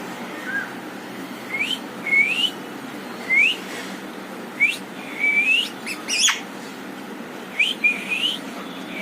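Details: Green parrot giving a series of short, clear rising whistles, some with a quick upward sweep, spaced about a second apart over a steady low background hiss.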